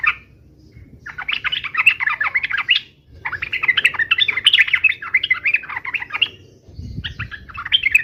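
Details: Yellow-vented bulbul in 'uplik uplik' fighting song to trigger instant answers from other bulbuls: long bursts of fast, jumbled chirps and warbled notes, broken by short pauses, over a low rumbling background.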